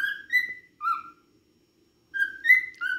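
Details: Pet cockatiel singing: clear whistled notes that step up and down, a short phrase, a pause of about a second, then the phrase again with rising and falling tones.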